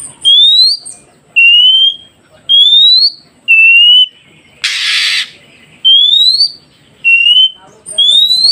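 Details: Oriental magpie-robin whistling, used so newly caught wild birds learn to respond quickly: a steady series of high, clear, upslurred and level notes about once a second, broken once by a short harsh rasping burst.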